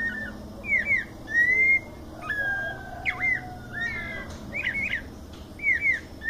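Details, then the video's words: White-necked thrush singing in the 'mateiro' song style in São Paulo, Brazil: short clear whistled phrases, some slurred and rising-falling, given one to two seconds apart over a faint steady background hum. "Sabia coleira canto mateiro"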